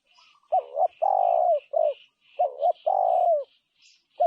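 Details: Spotted dove cooing in low paired notes, a wavering coo then a long steady one that dips at its close, repeated; faint higher chirping runs through the background.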